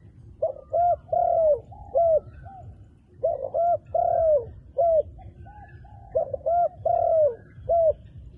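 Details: Repeated cooing of a dark-feathered wild dove: soft low hoots and drawn-out falling coos forming three similar phrases roughly three seconds apart, with slight background murmur.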